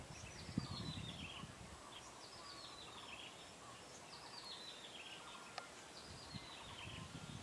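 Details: Crested serpent eagle soaring in breeding season at Baguashan (Anxiliao), 27 March 2017, 10:19 am, gives high, whistled descending call series about every one and a half seconds, over low wind rumble and background noise.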